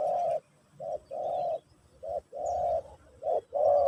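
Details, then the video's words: Spotted dove singing Pesom/Kacuk style during a session to teach a new bird: steady low coos, a brief note followed by a longer rolling one, the pair repeated roughly every 1.2 seconds. "Burung Terkukur Pesom/Kacuk...Sesi Mengajar Burung Baru"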